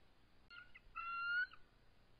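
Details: Eagle pair at their nest on March 23, 2014, around 7:44 pm, calling while stressed and crouched defensively as an adult intruder approaches. A short, thin whistled note is followed by a longer, steady, high whistle.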